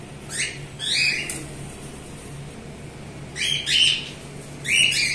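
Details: Group of cockatiels giving loud, grating screeches, paired bursts at the start, a pause, then two more screeches and a final harsh call.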